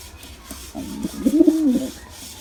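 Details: Softer pigeon coo during a male and female attack, a quiet start building into one bending, drawn-out throaty note.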